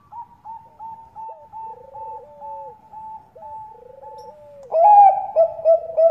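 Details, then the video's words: Female Bangkok zebra dove calling a male, used to lure others: a run of short, clipped high notes over two lower buzzy, falling trills, then a loud burst of deep rolling coos. "PANCINGAN PERKUTUT BANGKOK GACOR SUPER AMPUH BIKIN YANG LAIN PADA BUNYI"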